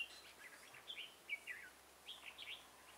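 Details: Red-whiskered bulbul decoy bird at a trapping site gives soft, quick slurred whistles in a few brief clusters over constant background noise.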